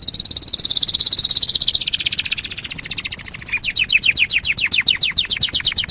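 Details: Training recording of canary song: a rapid high rolling trill shifting into a series of quick downward-sweeping notes, sung clearly and loudly without background sounds.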